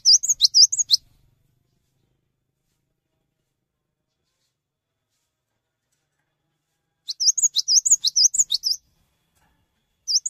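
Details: Cinereous tit (Parus cinereus), song: inviting other tits to sing along.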